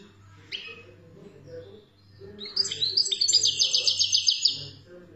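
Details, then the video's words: European goldfinch from Algeria singing: after a man's voice, a dense burst of rapid, high, metallic twittering trills repeated about four per second, over a steady low electrical hum. "تغريد الحسون"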